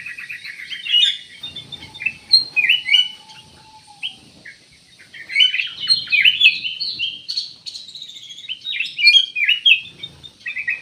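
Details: Black-crested bulbul song: busy bursts of high, slurred chirps and twittering notes in irregular phrases, separated by brief pauses, with a faint low whistle in the background.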